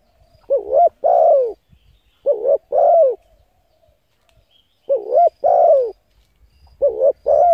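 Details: A spotted dove's stimulating coo for decoy birds: four phrases, each a short quavering note followed by a longer, soft, downward coo, separated by uneven pauses. Faint low thumps are heard in the background.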